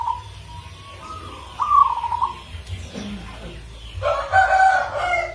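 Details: Indonesian local zebra dove of rare rhythm, a lure singer: soft rising coos, then a louder burst of layered warbling notes, with faint background chirps and a low hum.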